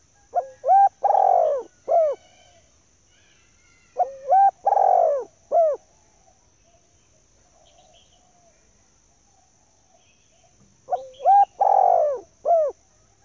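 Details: Repeated lure call of a female spotted dove: three phrases spaced several seconds apart, each of short rising coos, a long falling hoarse coo and a brief closing coo, with a constant high whine.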